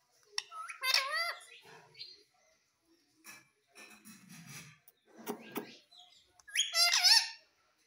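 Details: Pet parrot kept indoors, said to speak 'Mummy' and 'Papa': a wavering, harmonic, voice-like utterance near the start and another near the end. Soft rustles, clicks and room noises fill the middle.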